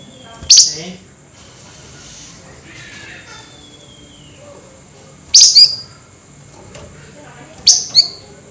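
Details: Flameback calling at night in a highly excited state: three loud, sharp, high-pitched notes, some doubled, spaced several seconds apart, with a faint whistling tone and low hum between them.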